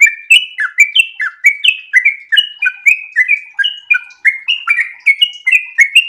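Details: Breeding-condition sooty-headed bulbul in continuous ropel song: an unbroken stream of bright, chuckling whistled notes, pitch bouncing up and down in quick pairs and triplets, loud and clear.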